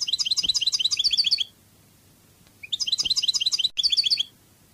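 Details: Goldfinch song in the Spanish Cádiz style: two rapid, buzzy trilled phrases of high twittering notes, each over a second long, separated by a short silence.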